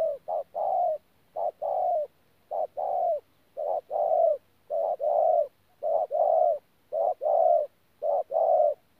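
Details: Spotted dove decoy bird from Tu Mơ Rông, 14 January 2019, giving its 'pha gù' coo: paired low hooting notes, a clipped note then a drawn-out one, repeated about once a second in a regular rhythm.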